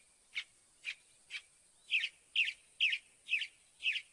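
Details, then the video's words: Northern mockingbird sings three sharp single notes, then switches to a rasping doubled phrase repeated evenly about twice a second. "AUDIO SINSONTE O CENZONTLE CANTANDO"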